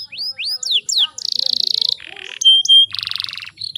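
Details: Female canary in breeding condition, used as a lure for singing males: upslurred and downslurred whistles, a fast buzzy trill, a harsh burst, two clear whistles, then a pulsed buzzy roll.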